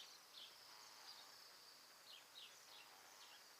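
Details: Bohemian Waxwings, roughly a hundred in winter migration, feed on mountain ash berries in Alberta while the recordist stays silent; a continuous hiss of very high, sibilant trilled calls with several short falling notes near the end.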